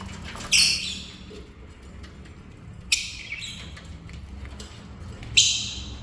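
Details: Lovebirds kept as pets, at the dinner table: three loud, harsh, piercing shrieks, each brief and spaced about two and a half seconds apart, over a quiet, low room hum.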